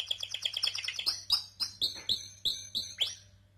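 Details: Singing canary: a fast run of bright chirps, then slower, louder, clear notes spaced about a third of a second apart, fading at the end, with a faint low hum behind.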